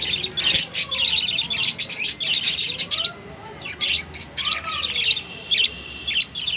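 A budgerigar chatters in quick, bright chirps and scratchy warbles, coming in bursts.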